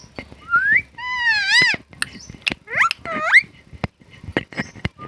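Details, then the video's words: Natural talking parrot vocalising indoors: rising whistled slides and harmonic, speech-like syllables broken by sharp clicks and taps, against low background noise from a small room. "Talking Parrot Rupu katore katore Natural Parrot video. || Parrot sound Mithu Mithu."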